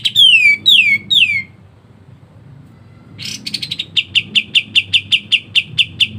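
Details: Pied triller (kapas tembak) singing a dense, continuous ngebren rapat style used as a master song for songbirds: three loud downslurred whistles, a pause, then a fast series of sharp repeated chip notes, about two per second.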